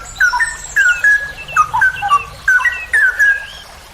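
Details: Straw-headed bulbul (cucak rowo) singing the long ropel style for songbird training: loud liquid whistles tumbling downward in three energetic bursts, each a quick chain of slurred notes.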